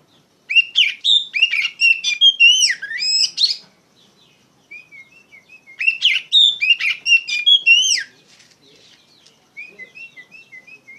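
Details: Loud 'ngeplong gacor' song of an Oriental magpie-robin (kacer), used to tutor untrained birds: two long bursts of rich, varied whistles and chirps separated by a pause, ending in soft repeated short whistles.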